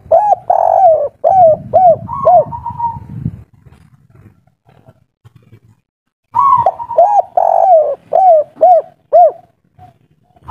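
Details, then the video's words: Spotted dove of the local kuk 3 style, riled up and loud, repeats two phrases of rapid arched coos with drawn-out notes, separated by a quiet gap with faint rustling. "Derkuku tekukur kuk3 lokal alam asli ngamuk bikin ribut || suara besar"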